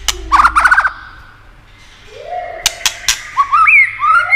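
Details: White-rumped shama singing to rouse other shamas: a short rapid buzzy burst, a pause, then three sharp clicks followed by clear rising and falling whistles.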